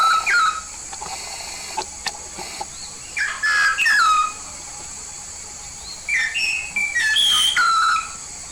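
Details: Yellow-faced myna from Papua, a lively singer, giving loud whistled phrases with sharp falling slurs and short buzzy notes in bursts of a second or so, separated by quiet gaps, over a steady high background hiss.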